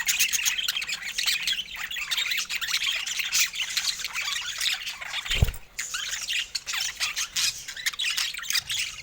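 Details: Many pet budgerigars in assorted colour mutations chatter continuously, a thick mix of chirps, squawks and scratchy warbles, interrupted once by a brief low thud past the midpoint.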